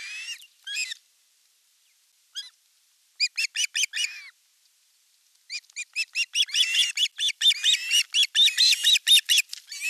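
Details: At a Finnish nest in Satakunta, August 2024, an elder osprey chick attacks its younger sibling while fish is delivered. A few chirps, a pause, then quick series of thin whistled notes that build into a dense, excited run of piping calls.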